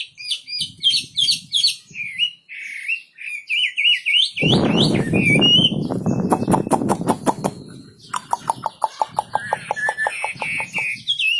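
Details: Singing wambi bird: a string of choppy whistled notes repeated at a steady pace, broken by a loud noisy rasping burst, then more quick whistles and rattling notes.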